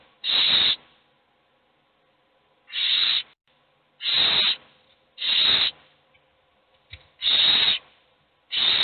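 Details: Owl chicks, all hungry, begging as only one eats: six loud, breathy hissing screeches, each under a second, spaced irregularly with pauses of one to two seconds.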